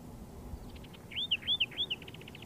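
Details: Soft duet-like singing from a pair of Layard's warblers foraging together in dry Karoo bushes near Hanover, Northern Cape: three clear whistled arching notes, each dropping at the end, framed by fast buzzy trills.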